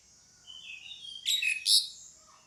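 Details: Pied myna female calling a male: a soft whistled lead-in, then two loud, harsh scratchy notes in quick succession, fading to quiet.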